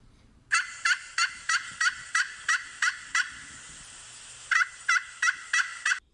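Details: A domestic turkey gobbles in a fast, bubbling rattle of repeated throaty notes, broken by a brief pause.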